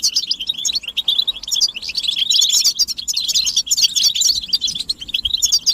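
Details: European goldfinches calling together to stimulate a male to sing; lively, high-pitched twittering builds from sparse chips into a dense run of rapid trilled notes.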